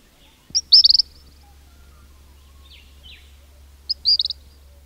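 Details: Close recording in a king cormorant colony, where chicks whistle: two quick stuttering bursts of shrill whistled notes about three seconds apart, with fainter downslurred notes in between and a steady low hum.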